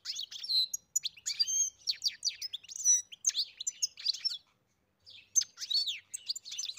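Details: European goldfinch singing: a fast, liquid stream of high twittering notes and buzzy trills that pauses briefly before resuming with more tinkling, chattering phrases.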